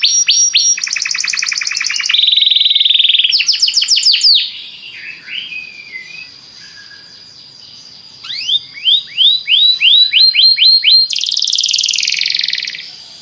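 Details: Belgian canary song for getting other canaries to sing, alternating dense buzzy rolls and rapid chirp series, a quieter passage of soft notes, then a run of upswept whistles and a rich trill.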